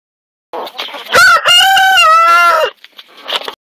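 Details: A young Buff Orpington rooster giving one of his first crows: a single loud harmonic crow of about one and a half seconds, opening with a short rising note, then a long level held note that breaks off, with soft clucks around it.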